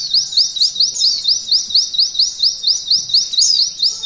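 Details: Shrill upslurred notes repeat evenly, about three to four each second, as a mountain white-eye sings 'nembak kenari ngalun' material meant for training contest birds.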